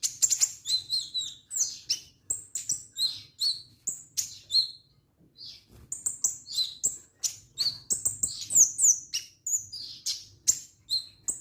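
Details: Orange-headed thrush singing vigorously, a dense run of high, varied whistled and chirping phrases with sharp slurred notes and short pauses, nearly continuous over eleven seconds against a faint low hum.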